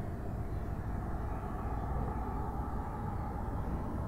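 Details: Continuous low roar of an aircraft engine overhead, with no animal sounds.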